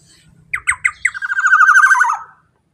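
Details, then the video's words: Black-naped oriole, called kepodang emas, with a loud, strong call used as a lure for other orioles: three short harsh rising notes, then a long buzzy, rasping phrase that falls slightly and ends abruptly. "suara KEPODANG GACOR super KERAS LANTANG cocok untuk pancingan kepodang emas"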